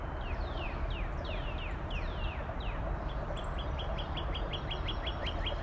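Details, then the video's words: A Northern Cardinal gives slow, drawn-out whistles that slide downward, then switches to a quick run of short chipped slurs, all set against a constant low-pitched background roar. "Northern Cardinal"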